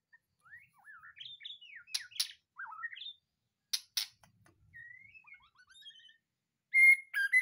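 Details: Caged white-rumped shama (murai batu) newly moved from a breeding cage, singing swooping slurred whistles that rise and fall, mixed with sharp clicks, then a loud clear whistled phrase at the end.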